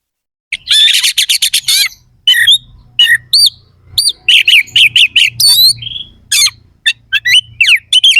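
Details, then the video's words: Oriental magpie-robin (kacer) of the contest type, in full 'gacor' song with harsh 'isian kasar' fill-in phrases: rapid bursts of sharp, buzzy chirps and whistles, varied rising and falling notes, short pauses between runs, faint low hum beneath. "Suara kacer gacor NEMBAK ISIAN KASAR"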